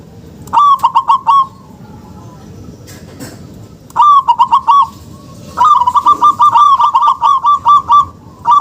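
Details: Local-type zebra dove, used as a lure to make lazy or silent doves start calling: bubbly, rapid runs of stuttering coos in three bursts, the last long and evenly repeated, with a quiet background.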